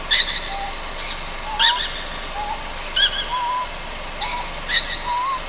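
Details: Juvenile Ryukyu scops owl calling at night on Amami Oshima, Japan: harsh, hissing broadband bursts roughly every one and a half seconds, alternating with soft, short rising whistled notes.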